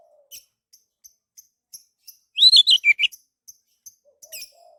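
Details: Orange-headed thrush song, used as a lure to draw other birds into song: faint ticking notes at regular intervals, broken by a loud half-second burst of rapid, warbled whistles that falls in pitch.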